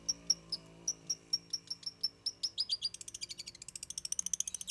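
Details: Trained long-tailed shrike singing imitated phrases: a steady series of clear, high ticking whistles that speeds up and runs into a dense, fast trill.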